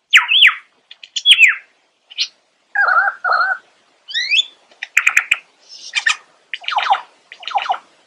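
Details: Lyrebird pouring out a varied song, clean and close: twisting whistles, paired harsh syllables, quick upward-flicking notes and buzzy trills, separated by short silences.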